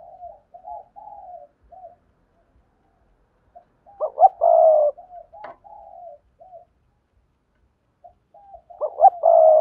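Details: Spotted dove sounds for luring wild doves: mostly quiet, low murmured cooing with two louder rough, burry bursts and a single sharp click between them.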